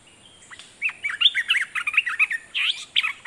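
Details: Red-whiskered bulbul kept as a decoy, calling out at wild birds with a quick, bubbly phrase of warbled chirps and short slurred whistles, repeated in a busy stream for about two and a half seconds.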